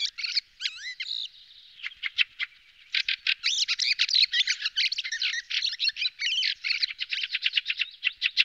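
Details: Fieldfare, a thrush, in song: a few squeaky whistled phrases, then a long rapid stream of harsh, buzzy chattering notes that barely pauses.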